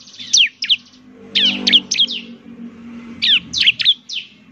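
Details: Bar-winged prinia, a semi-active singer used as a lure: short bursts of two to four sharp, high notes that fall in pitch, separated by pauses of about a second, over a soft low hum.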